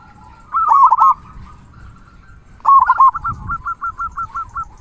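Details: Zebra dove of a local strain in active song, with a strong 'kung', played to tutor other doves. A rolling coo phrase, then a longer one trailing into a string of evenly spaced soft notes.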